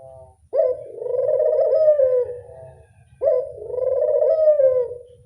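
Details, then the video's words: Readily answering collared dove giving two long rolling coos, each opening abruptly and fading gently over about two seconds, spaced close to three seconds apart, with a quiet low hum beneath. "Suara burung puter gampang nyaut"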